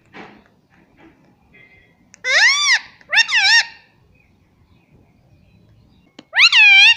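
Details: A pet Indian ringneck parrot speaks words such as "mummy papa" in a high, nasal, sing-song voice: two quick phrases together, then one more after a pause, in a quiet room.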